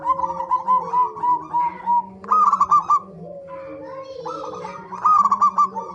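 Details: Zebra dove lure song for prompting birds to sing: repeated phrases of rapid, ringing coo notes come in several bursts, with quieter overlapping cooing between them.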